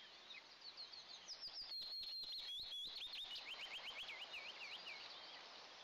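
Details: A nest camera catches two young Eastern imperial eagles at first breakfast on June 29, 2024: a thin, high piping begins softly, then turns into rapid looping whistles that rise and fall, around four per second, with faint clicks and background hiss.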